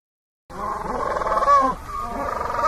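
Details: Penguin screams as a loud, raspy bray of quick pulses, swelling into a brief rising-falling squeal midway, dipping, then continuing in a steady throbbing drone to the end.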